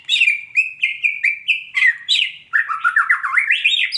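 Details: Female white-rumped shama giving quick, rich whistled notes in close succession, then a busier stretch of rising and falling slurred phrases, the bursts coming almost without a break.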